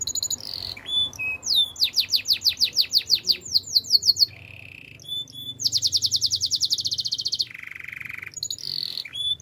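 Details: Belgian canary singing a training song: fast repeated descending whistled slurs, a sustained lower buzzing trill, then a long high rapid trill and a deeper rolling trill, with bright high notes between phrases.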